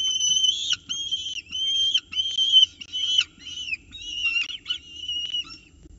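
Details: Peregrine falcon chicks squabbling over prey in a nest box at Orange, morning of 29 October 2018, as an adult steps in to feed them; rapid run of shrill, slurred whistled calls, about eight in six seconds, with clicks.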